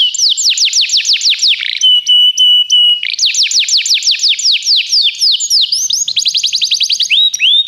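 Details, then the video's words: Belgian canary singing as a tutor bird: a rush of fast sweeping notes, a clear sustained whistle with light ticks, then renewed rapid phrases and a closing run of quick rising chirps. "professor Canário belga cantando muito - best singing"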